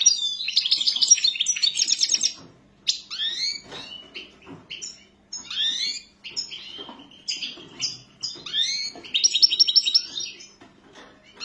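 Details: Goldfinch in full song: rapid high trills and liquid twittered notes open and close the phrase, and sharp rising and falling chirps fill the middle, with short silences between bursts.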